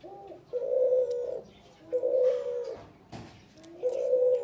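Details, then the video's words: Male spotted dove cooing, each phrase opening with a short lower note and then a long, level, hollow coo, repeated about every one and a half seconds, with a brief clatter between phrases. "SUARA BURUNG CUHU TEKUKUR JANTAN GACOR FULLL"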